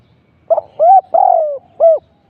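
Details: Spotted dove decoy during trapping delivering a single clear phrase: a stuttered short note, a rising-falling hoot, a long sliding coo, then an arched closing hoot, in otherwise quiet surroundings.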